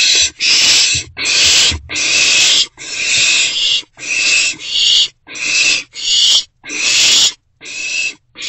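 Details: In a nest box in the small hours of 27 March 2024, an owlet fed a vole by its parent gives repeated rough hissing screeches, about a dozen in eight seconds, separated by brief silences.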